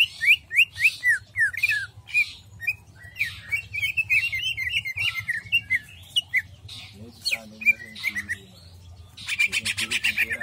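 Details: Jamstrok-style song of a greater green leafbird: loud, varied whistled slurs, a rapid chattering run of twisting notes mid-phrase, more whistles, then a harsh, scratchy burst at the end.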